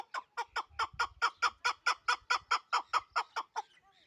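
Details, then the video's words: Fourteen sharp, hoarse chuk notes from a Pamir hunting chukar partridge in Dushanbe, delivered in a very regular, fast rhythm of about two to three per second, then the series stops abruptly. "Кабки Помир"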